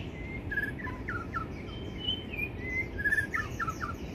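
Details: White-rumped shama singing: varied clear whistled phrases, some sliding, some short and broken, over a steady low rumble of background noise and faint insect-like hiss.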